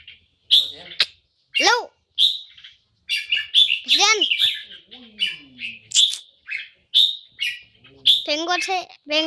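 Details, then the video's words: Caged red-whiskered bulbul singing in the poi-sian (โป้ยเซียน) style: repeated bright chirps and bubbly warbles roughly every half second, mixed with a person's and a child's speech. "นกกรงหัวจุก (โป้ยเซียน นกหัวหิน 1)"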